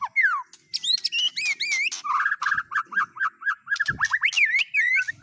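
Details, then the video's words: White-rumped shama singing a dense, varied isian medley: descending whistles, buzzy rattles and a long run of rapid repeated whistled notes ending in looping chirps. "Burung Murai Batu MU KURANG GACOR., BONGkar Isian speed cililin, kenari, love bird Dll..!"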